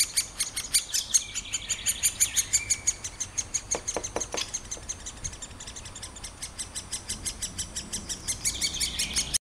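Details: Great spotted woodpecker nestlings being fed by a parent keep up a shrill, insistent chatter of high chirps, about three a second, rising briefly in intensity midway through.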